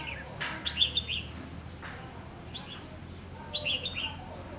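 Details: Red-whiskered bulbul used as a decoy during trapping on 3 October 2016, singing a challenge song: short bright whistled phrases of quick warbled notes, repeated in bursts with pauses, over low background hum.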